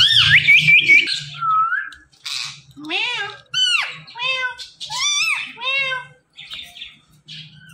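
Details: Green Indian ringneck parakeet speaking "Mitthu Mitthu": a string of high, voice-like syllables with bending, rising and falling tones in separate bursts, recorded close in a small room.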